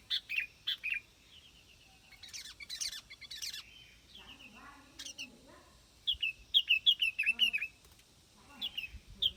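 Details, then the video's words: Sooty-headed bulbul singing bright, chirpy phrases of quick bubbling notes, in bursts with short gaps, with faint low murmurs in the background. "Tiếng chim bông lau đít đỏ"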